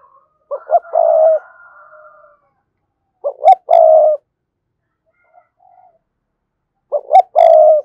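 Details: Spotted dove giving its thúc gù style coo, calling to a rival bird: three loud cooing phrases about three seconds apart, each made of short clipped notes leading into a long, steady, mellow coo, in a quiet setting.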